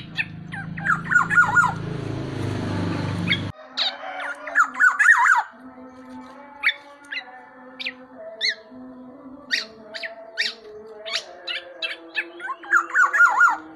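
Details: Black-naped oriole, tame and singing a lot: warbling slurred notes, cut by a harsh broadband noise burst, then scattered sharp chips and rich harmonic whistled phrases against a steady low tone.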